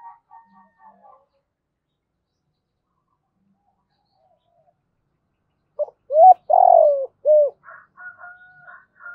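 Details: A decoy spotted dove calling in the thổ voice style. A few soft notes come first, then a long silence, then a loud three-part phrase: a rising coo, a rolling croo and a short coo, with soft chirpy notes trailing after.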